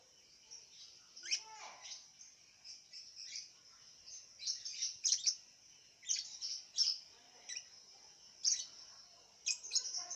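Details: Caged lovebird from Singkawang, West Kalimantan, Indonesia, performing in an online singing contest. A steady high thin tone runs throughout, broken by short scratchy chirp bursts about every second. The sound is faint, with a soft background hiss.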